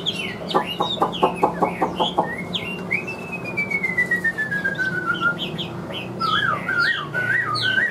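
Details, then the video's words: Chinese hwamei, said to sing well with an even tone, starts with a fast series of sharp clipped notes, then holds one long clear whistle gliding slowly downward, ending in looping warbled phrases. "HM 1876 DÁNG DẤP ĐẸP - HÓT TỐT RA GIỌNG ĐỀU"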